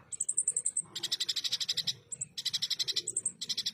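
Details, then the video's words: Ruby-cheeked sunbird, a tutor recording for competition birds in the rough 'tembakan' burst style: a row of thin, very high whistled notes, then fast rattling buzzy bursts of rapid pulses about four per second, broken by short gaps. "MASTERAN FULL TEMBAKAN KASAR, SUARA JERNIH BURUNG KONIN ASLI"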